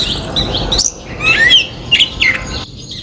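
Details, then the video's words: Backyard common myna in India calls with a few liquid, slurred whistles that rise and dip, given in two or three quick phrases with short gaps; faint high chirps behind. "Common Mynah calls"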